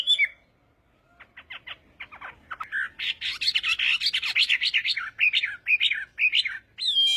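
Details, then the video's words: Chinese hwamei practicing its morning song, opening after a pause with sparse sharp notes, then building into dense, rapid, high whistled phrases and repeated slurred notes. "Hoạ Mi Hót Đấu /hoạ mi hót sáng luyện giọng"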